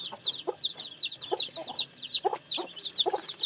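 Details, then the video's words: Several newly hatched chicks giving clear, high, falling cheeps in quick succession, bright and piercing, with short dull knocking sounds scattered beneath the calls. "Âm thanh gà con mới nở kêu"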